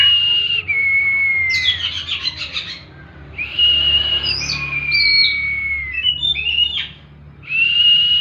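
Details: Oriental magpie-robin singing a 'tembakan' style song: long clear whistled notes held steady near one pitch, broken by a burst of scratchy rattling notes, then a rising whistle and another sustained whistle. Faint low hum beneath.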